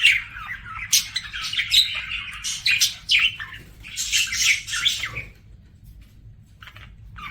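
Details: Singing pet budgie: rapid scratchy warbling and chirps for about five seconds, then near quiet with a couple of faint chirps.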